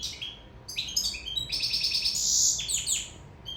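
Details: In-love Sicilian European goldfinch pouring out a dense tinkling phrase that builds into a sustained buzzy, rattling trill, quick chirps repeated in rapid succession; quiet background hum.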